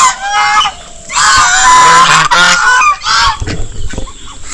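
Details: Domestic geese at a park in Malda honk loudly in harsh, nasal, overlapping blasts, about three a second, screaming perhaps at the visitor; a man's voice is briefly heard in the background.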